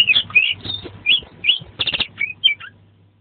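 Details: Oriental magpie-robin (kacer), energetic song used to tutor caged birds, rich in fill-in phrases: bright whistled swoops alternating with rasping buzzy clusters, then a falling whistle and a fading low hum.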